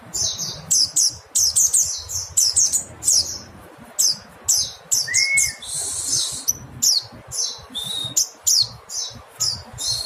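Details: Mountain white-eye giving long runs of high, sharp descending chirps in fast clusters, broken by a brief buzzy hiss and a single lower rising-then-falling whistle near the middle.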